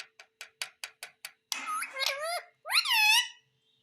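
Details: Indian ringneck parakeet talking indoors, said to say mummy and papa: a run of seven quick dry clicks, then two nasal, speech-like phrases with gliding, wavering pitch.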